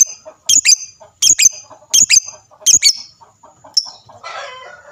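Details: Lovebird singing to provoke other lovebirds into answering. Loud paired shrill chirps repeat about every three-quarters of a second over quieter chattering notes, followed at the end by a burst of scratchy, noisy twitter.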